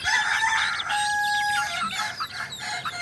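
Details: Crowing Kukuak Balenggek rooster, a songster breed native to Solok and known for its multi-level crow, especially at dawn: a long, steady, clear harmonic note held about a second after a rougher opening, with twittering birds behind.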